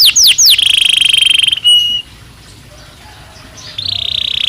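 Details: Belgian canary song: quick upswept notes leading into a sustained buzzy roll, a pause with faint background hiss, then another rolling trill resumes.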